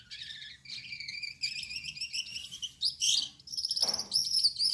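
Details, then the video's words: Gouldian finch male, yellow-backed, red-headed and white-breasted, in night-time song: rapid buzzy high notes over a lower whistled band, a loud harsh burst midway, a brief noisy rasp, then thin high phrases resuming. "Suara Burung Gould Amadin Gacor || Gouldian Finch Singing Gacor"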